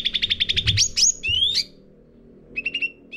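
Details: Sooty-headed bulbul singing in a cage as lure song for training birds: a quick train of clipped chirps, then sweeping slurred whistles, a pause, and a few more chirps.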